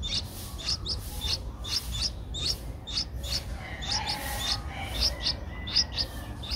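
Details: Streak-eared Bulbul nestling, 11 days old, at the nest in Ubon Ratchathani, Thailand, 13 April 2023; a quick, uneven series of short high chirps, roughly eighty a minute, over low background rumble.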